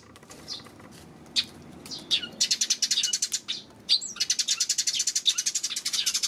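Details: Eurasian tree sparrow recorded June 19, giving clear, high chirps that break into rapid trains of short chips, roughly three or four per second, with brief pauses between bursts.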